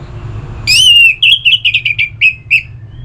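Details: Orange-headed thrush song played to make kept birds sing, from northern Bali; a loud whistled opening note followed by a quick run of short slurred warbling notes, with a low hum underneath.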